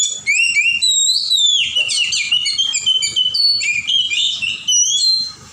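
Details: Wild Oriental magpie-robin from the forest delivering a loud, fluent stream of whistled phrases, quick falling slurs and busy warbled bursts in shifting sequence, over a soft low rumble.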